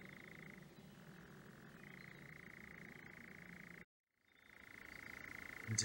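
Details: Male European nightjar at night on lowland heathland in Surrey, England, churring a long, even, rapid mechanical trill that breaks briefly and resumes, with a louder rustle at the end. It is declaring territory and advertising to potential mates.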